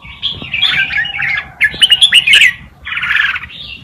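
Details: Red-whiskered bulbul singing a tutor song for young birds, with rough, chattering warbled phrases and a brief run of sharper chirps in the middle.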